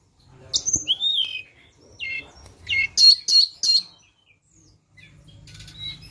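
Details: Flowerpecker sound used as a lure: thin, very high chirps and short downslurred notes, then a loud run of three or four buzzy clipped notes near the middle, with quiet low hum underneath.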